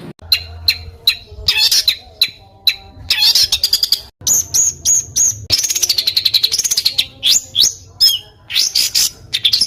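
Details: Small songbirds edited into a training compilation for competition songbirds, with harsh rapid phrases: sharp high chips, rising and falling whistles and a dense stuttering rattle near the end, split by abrupt cuts and brief silences.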